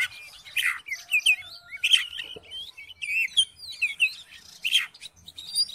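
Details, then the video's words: Oriental magpie-robin singing to provoke another magpie-robin into song: varied whistled and chattering phrases of rising and falling notes, with bright slurred whistles and harsh bursts mixed through the passage. "KACER MACET MALAS BUNYI??? COBA DIPANCING DENGAN KICAUAN KACER INI"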